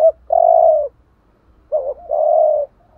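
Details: Spotted dove coo from a decoy recording, the urging style used to provoke rival doves: a long, steady burry coo, a pause, then a short double note leading into another sustained coo.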